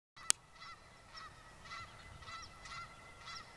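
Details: A flock of nearly 30 Canada geese on the grass at a lakeside school gives overlapping trumpet-like nasal honks, several every second, swinging their necks hard as they call, with a sharp click near the start.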